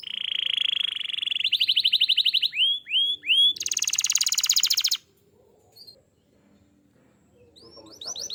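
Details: Canary song used as a lure for other canaries to sing: a buzzy sustained trill, a rapid series of chirps, three loud falling whistles, a very high fast rattle, then quiet before a few more chirps.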